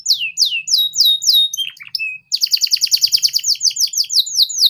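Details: Young canaries are taught ngeriwik with this canary song: slower drawn-out descending sweeps and short whistles, a brief pause, then a rapid even series of sharp falling chirps repeated several times a second.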